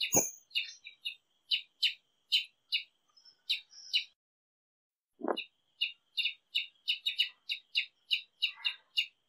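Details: A Brazilian tanager (Ramphocelus bresilius) sings bright, clipped chirping notes, about two or three a second, with a pause midway; a couple of dull knocks are also heard.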